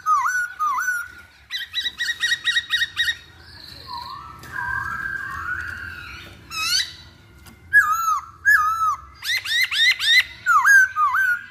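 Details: Chinese hwamei delivering a long, varied song of whistled slurs, quick repeated notes, brief trills and rising phrases, with several rapid series of upswept notes near the end.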